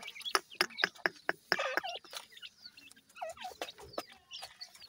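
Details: Grey francolin chicks seven days old, feeding: loud sharp clicks repeated quickly at first, then high wavering peeps and squeaky chirps from several chicks, with faint lower clucks beneath.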